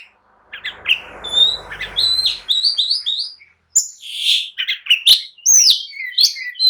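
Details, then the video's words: Provocative, agitated song of an oriental magpie-robin meant to make others answer and fight: clear high whistles over low background rumble at first, then after a pause a quick mix of buzzy chatter and rising whistles. "kicau kacer gacor emosi! jadikan kacer loyo langsung nyaut dan tarung emosi"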